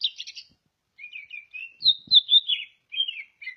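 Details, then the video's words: A greater green leafbird from Ngawi in East Java gives a buzzy burst, a pause, then varied whistled phrases falling from high sweet notes to lower slurred ones, with a couple of soft taps. "cucak ijo asli ngawi jatim"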